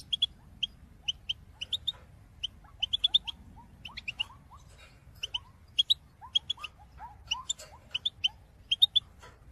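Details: European goldfinch recorded in 2022, singing a calling song meant to encourage other birds: crisp high chirps in short runs of two to four notes, spaced through the clip, with softer lower curling notes between them.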